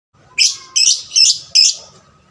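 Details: Lovebird, recorded as a lure to stimulate other lovebirds to sing more, gives four harsh, buzzy, high-pitched chirped bursts at roughly even spacing, each about a quarter second long, with faint background hum.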